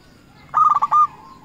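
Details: Local perkutut, or zebra dove, calling rivals as a lure: a brief burst of four fast cooing pulses ending in one longer drawn-out note.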